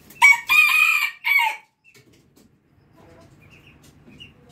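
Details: A red junglefowl (Gallus gallus) rooster gives one loud, harsh crow in about four broken syllables, rising then falling and cut short compared with a farm rooster, followed by near silence.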